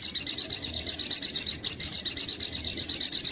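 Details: Brown-throated sunbird lure song: a continuous high, rapid trill of buzzy chips repeated about three times a second, over a constant low rumbling background.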